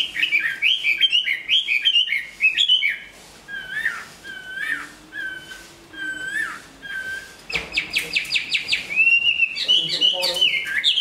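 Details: Chinese hwamei, a large bird noted for strong song and fighting, finishing its new plumage; a burst of loud looping whistles, then isolated soft downslurred whistles spaced a second apart, then fast buzzy rattling pulses and renewed whistling.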